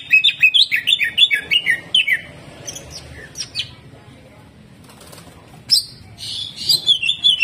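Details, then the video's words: Greater green leafbird in full hyper song with harsh shots: a fast run of high chirped whistled notes, a quieter gap with faint flutters, then renewed bright slurred whistles. "CUCAK IJO GACOR HYPER TEMBAKAN KASAR"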